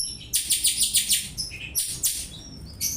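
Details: Oriental magpie-robin singing in imitation of house sparrow chirps, a recording used for tutoring other birds: a run of sharp, high chirps repeated about every fifth of a second, then a pause and further chirps and thin whistled notes.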